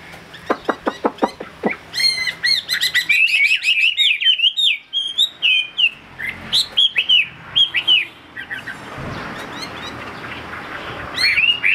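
A Chinese hwamei sings a rich, fast stream of loud, varied whistles, slurred up and down, after a few sharp tapping knocks at the start.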